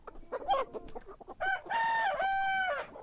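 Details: Morning rooster crow: brief clucks and short notes lead into a loud crow of about one and a half seconds with a steady, ringing tone.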